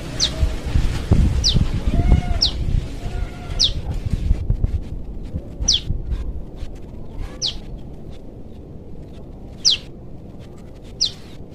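A young prinia gives thin, high, sharply falling notes, one roughly every second, calling for its parent over a low rumble that fades midway.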